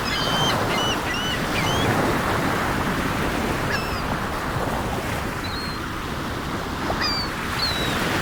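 Gulls give short, high, slurred mewing calls in scattered bursts over a steady roar of breaking sea waves.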